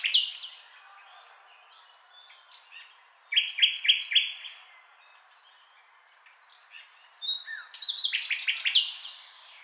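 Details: Nightingale with two song phrases: a run of rapid repeated doubled notes, a quiet gap with soft calls, then another burst of fast, loud rattling notes.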